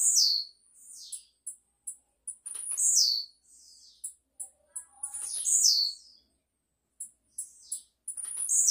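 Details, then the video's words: Blue-black grassquit, a prolific singer possibly of the 'campainha' song type, sings high, buzzy, down-slurred phrases about every two to three seconds, with sharp thin ticks in between. "TIZIU CAMPAINHA??? CANTA MUITO"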